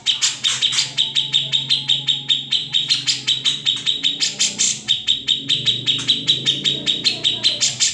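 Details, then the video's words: Original grey-cheeked bulbul recording used as a training song for other songbirds. An unbroken run of rapid metallic clicks and chips continues for the whole stretch, over a faint low background hum. "Cucak Jenggot (Kamandanu) Masteran Wajib Murai Batu & Cucak ijo"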